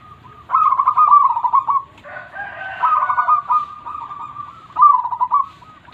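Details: Zebra dove, a local Indonesian perkutut with a very big voice, singing in manggung style to spur lazy birds or lure wild ones. Long rolling coos break into quick notes, with a second, lower voice overlapping midway.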